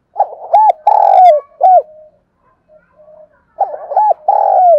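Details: Close, loud cooing of a spotted dove: quick clipped coos run into a drawn-out falling coo, a short pause with soft murmurs, then the same rising-and-falling coo sequence repeats.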